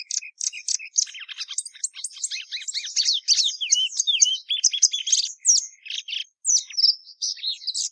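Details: Plumbeous seedeater (Patativa Verdadeira) singing a long, varied run of rapid twittering notes, sweeping whistles and buzzy trills, mostly high-pitched, delivered almost without pause over eight seconds.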